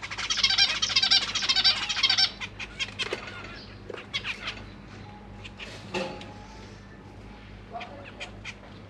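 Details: Parent zebra finches feeding their young in a cage holding three juveniles and three newly hatched chicks; a dense, harsh chattering burst for two seconds, then scattered soft chirps and ticks fading away, with low hum underneath.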